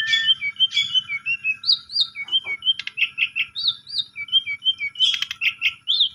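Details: Asian pied starling singing as a lure to get a silent starling going: varied run of clear whistles, slurred rising notes and harsh rasping bursts, delivered rapidly and continuously.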